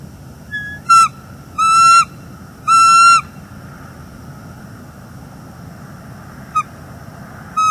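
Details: Bald eagles, a mated pair on their nest in northeast Florida, exchanging calls one September morning after the female declines to mate; a short note, then two long piercing whistles, a pause, and brief clipped notes near the end.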